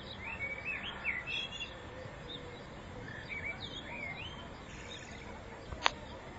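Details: Common blackbird (Turdus merula) in spring 2014, distant, sings soft, fluty whistled phrases with rising and falling slurs over a steady outdoor hiss, with one sharp click near the end.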